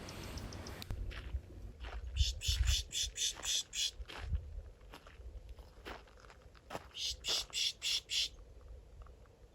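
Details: Black-throated Sparrow (Amphispiza bilineata), a common desert bird, in Box Canyon, southeast Arizona, as the day gets hot. It gives two bright runs of high, tinkling chip calls about four seconds apart, over low wind rumble and handling noise.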